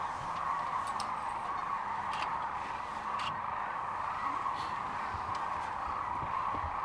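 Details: Sandhill cranes gathered at Rowe Sanctuary in Gibbon, Nebraska, near Kearney, recorded March 13, 2014: a dense, continuous chorus of rolling, trumpeting calls from a large flock, blending into a steady roar with a few louder nearby calls.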